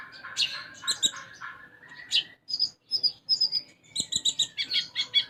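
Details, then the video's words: A vigorously singing olive-backed sunbird (konin) whose song is filled with sparrow-style phrases, used as a training recording: a varied tumble of buzzy twitters, thin whistles and a quick run of high, evenly spaced chirps. "Konin Gacor Isian Gereja"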